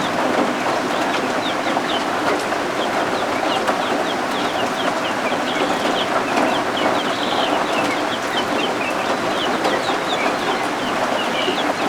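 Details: Newly hatched guinea fowl keets huddled indoors under a heat lamp give a steady stream of thin, high, overlapping peeps, while rain and thunderstorms outside make a constant hiss.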